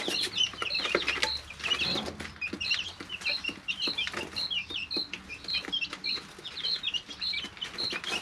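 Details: Several 3-week-old domestic chicks in their brooder give repeated short, piercing peeps, often in quick pairs and triplets, over a background of light scratching and tapping.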